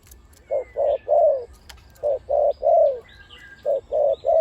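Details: Caged spotted dove decoy bird with a big voice, which gives the one-kuk, ku-ang style call almost constantly. Three clear phrases sound about every 1.5 seconds, each with two short coos and then a longer, falling coo. Faint chirps are heard behind.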